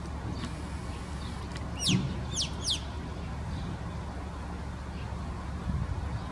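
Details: Alpine choughs, down from the mountains in winter and gathering in large groups in town, give three quick, high, shrill whistled calls sweeping up and down over a steady low rumble of wind or distant traffic.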